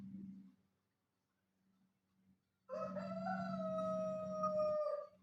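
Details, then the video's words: Rooster crowing: one long, harmonic-rich crow of about two seconds, holding a steady tone that sags slightly toward the end, after a low hum and a brief quiet pause. "chicken crowing sounds | rooster crowing sound effects"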